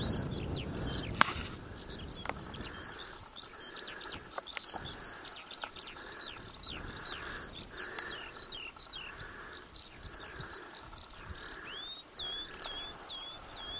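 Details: At Adderstonelee, near Hawick, a skylark pours out a long, continuous series of high chirps and trills that ends in rising notes, over a background hiss and a few clicks.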